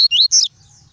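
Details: Double-collared seedeater in a cage singing tuí tuí style: two brief, bright whistled notes, the second higher and slightly buzzy, then silence.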